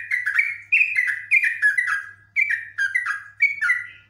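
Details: Caged Yellow-vented bulbul singing in a highly agitated state, delivering a long run of rapid, gurgling whistled notes that dip and rise in quick clusters, about eight bursts here, with a steady low hum behind.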